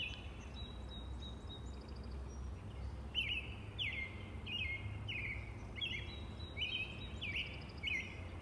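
A robin sings short, clear slurred phrases, rising then dropping, about one every half second, over a steady low rumble and faint higher chirps.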